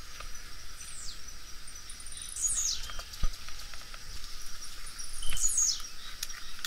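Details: Thin, high, falling song of a blue-black grassquit heard twice, about three seconds apart, with background hiss and scattered ticks.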